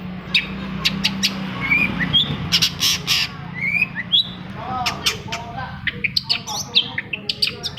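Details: Long-tailed shrike recording meant to set quiet captive shrikes singing: a varied, jumbled mix of harsh squawks, short sliding whistles and rapid sharp clicks, busier toward the end, with a low hum underneath.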